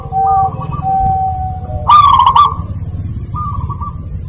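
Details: Zebra dove song played to coax a bird that rarely sings: soft low coos, then a loud rolling trilled coo about half a second long, with faint high thin whistles from other birds and a steady low hum.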